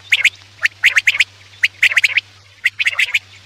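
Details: Quail sound for night hunting lures: quick bursts of sharp clicks and short scratchy notes in groups of two to four, closely repeated, with a faint steady hum.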